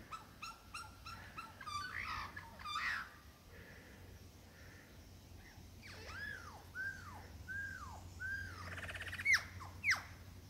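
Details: Male superb lyrebird mimicking for a female in the Dandenongs: stuttering clicks and rattles at first, then a series of five arched, downward-curving whistles spaced about half a second apart, ending with sharp high upsweeps.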